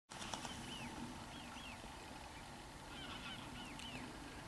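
Water rail giving shrill, squealing arched notes in two short bursts, a few seconds apart, over a steady hiss of background noise.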